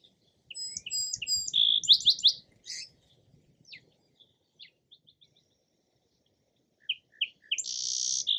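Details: Song sparrow singing a high, jumbled phrase of sharp notes and a rapid trill, followed by scattered soft chips, a pause, then a new phrase ending in a harsh buzzy note.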